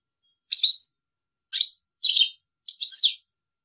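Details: European goldfinch giving four short, sharp twittering chirps at irregular intervals, each with a bright ringing tone.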